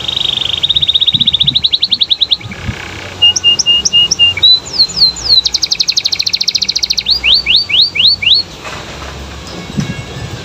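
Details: Lively canary song aimed at prompting other canaries to answer: a steady fast trill rising in pitch, paired whistled notes, then a rapid rolling tour and a row of sweeping slurred notes before quiet.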